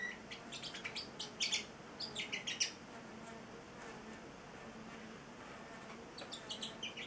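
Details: Celestial parrotlet, eight-week-old male, giving two bursts of quick, high, scratchy chirps separated by a quiet pause of about three seconds, indoors.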